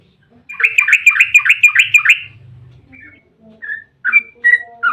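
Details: Yellow-vented bulbul song played as a lure to prompt bulbuls to respond: a quick rippling run of about nine bubbly notes, then scattered softer chirps and short whistles.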